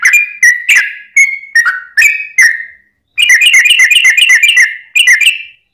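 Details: Yellow-vented bulbul, 'ropel panjang' lure song for provoking other bulbuls: spaced, slurred whistled notes, a short gap, then a fast rolling run of bubbly notes packed tightly together.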